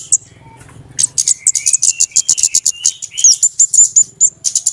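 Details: Flowerpecker lure call for bird trapping: after a soft start, a fast, steady run of very high, clipped ticking notes, several per second, with a thin buzzy trill beneath and a few sliding whistles.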